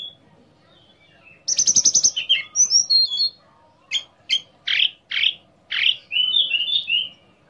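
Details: Orange-headed thrush lure song to prompt other orange-headed thrushes to sing; a rapid buzzy rattle followed by high twittered whistles and a string of about six evenly spaced, emphatic whistled notes.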